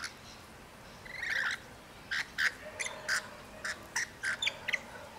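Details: A pair of rainbow lorikeets sharing a piece of apple give harsh, shrill screeches in short bursts, one after another.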